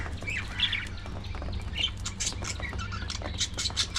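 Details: Early morning feeding time with budgerigars, giving short squawky chirps and sharp clicking notes scattered throughout, with a constant low background hum.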